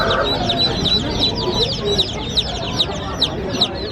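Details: Baby chicks chirping happily, shown in bright colours: thin, high peeps sliding downward, tumbling quickly over one another, with several louder individual peeps standing out near the end above a low murmur.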